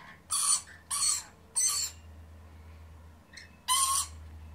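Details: Lorikeet parents and their young, feeding on pear, give four harsh, grating screeches, each about half a second long, coming in an uneven run over a low steady hum.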